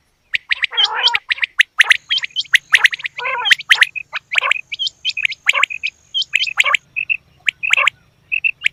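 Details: Female quail giving a dense run of sharp clicking chirps and short upward-hooked high notes, broken by a few hoarse, nasal buzzy calls and a faint steady whistle.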